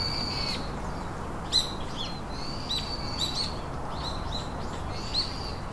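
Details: From a nest holding three young birds comes a run of high, piercing whistles, some long and level, others short and downslurred, mixed with faint clicks.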